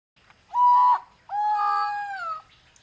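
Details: Malayan peacock-pheasants at mating time, kept at a breeding center in Chiang Mai, Thailand: a loud, harmonic, nasal note lasting under half a second, a short pause, then a longer level note that dips slightly at its close.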